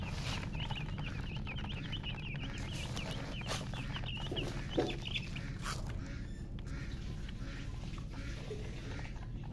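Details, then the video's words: Baby chickens peeping in quick, high, piping notes during the first half, then thinning out to a few scattered chirps over a constant low droning noise. "Witty MURGI Baby "Chicks Chirping" Sound"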